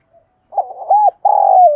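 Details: Decoy spotted dove calling to attract wild doves: one phrase of low, mellow coos, short throaty notes leading into a long sustained coo that slides downward at the end.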